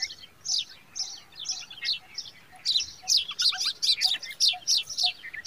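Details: Bird chicks crying during an ant attack while the mother bird is agitated: repeated high, thin, squeaky cheeps in irregular bursts, growing busier, over faint background noise.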